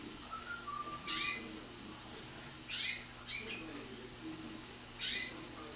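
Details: Canary in early training, rich in wild bird notes (silvestres) combined into compuestas, with a little rolled tour (rodada): short bright chirped phrases spaced about two seconds apart, plus a faint low whistle near the start.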